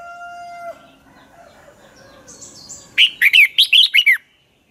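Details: Red-whiskered bulbul dueling song used as a lure: a steady tonal hum opens, then a single fast burst of bright, looping whistled notes near the end.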